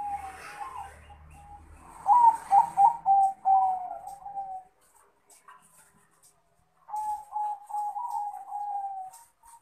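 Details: Male Bangkok crossbred zebra dove calling a rival, with a loud run of rapid bubbling coos fading downward, silence, then another softer rolling coo phrase.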